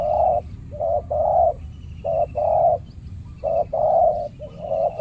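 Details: Spotted dove (tekukur), a fiercely territorial male ruling a banana plantation in Indonesia, challenged by a trained decoy dove during trapping; loud low coos in grouped phrases of two to three notes, repeated steadily with short gaps.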